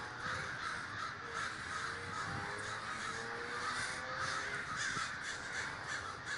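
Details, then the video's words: A crowd of crows gathered together in Davis, California, their overlapping raspy caws blending into a constant roar, with a few faint thin whistling tones drifting beneath. "The Great Gathering of Crows"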